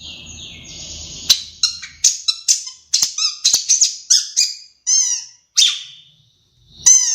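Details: A Madura long-tailed shrike sings vigorously, weaving in mimicry of sparrows and Java sparrows. A long drawn whistle gives way to sharp chips and squeaky phrases, then a few buzzy descending notes. A faint low hum runs underneath.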